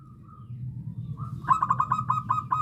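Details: Local zebra dove used as a trapping lure, with its original voice. A soft low coo drifts for a second, then a rapid run of about eight clipped, ringing cooing notes, evenly spaced, over a steady low background hum.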